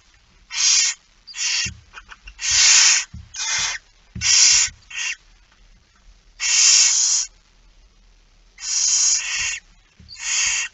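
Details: Barn owl begging at a feeding on 13 September 2019 at 06:57: harsh, broadband hissing screeches of about half a second, around ten bursts at irregular gaps over eleven seconds, with faint low rustling between.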